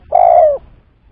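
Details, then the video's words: Spotted dove coo used as a trapping lure: a single smooth, low, hollow note lasting about half a second, dropping slightly in pitch at the end, over faint background rumble. "Pancingan Suara Tekukur"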